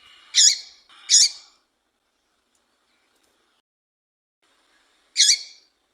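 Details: Female double-collared seedeater call, kept by breeders to rouse and excite males for song tournaments: three short, harsh, high chirps. Two come close together, then one more follows after a four-second silence. Background is quiet.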